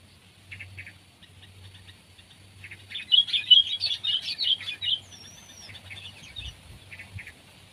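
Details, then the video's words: Sooty-headed bulbul, from a comparison of kept and wild birds: sparse soft notes build to a loud two-second outburst of jumbled chattering, then a thin whistled slur rising and falling, and scattered notes again. "Burung Kutilang Peliharaan VS Burung Kutilang Liar!"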